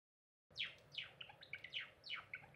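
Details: Cinnamon Java sparrow, a pet, singing on 2 April 2021: quick, sharp descending chirps mixed with short bell-like notes, a chirp roughly every half second, indoors.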